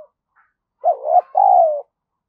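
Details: Spotted dove decoy calling to stimulate other doves: one loud phrase of a rising, wavering note followed by a long, slowly falling coo, in silence.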